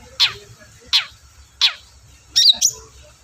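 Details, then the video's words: Long-tailed shrike, used to coax silent shrikes into singing: three harsh descending notes, then a quick twisting whistled phrase. "BURUNG CENDET GACOR DORR PANCINGAN AMPUH CENDET SUSAH BUNYI"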